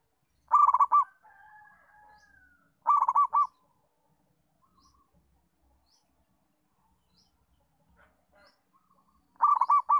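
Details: Local zebra dove with a steady song used to train other zebra doves; three brief phrases of quick, rolling coos spaced several seconds apart, with a faint drawn-out note after the first.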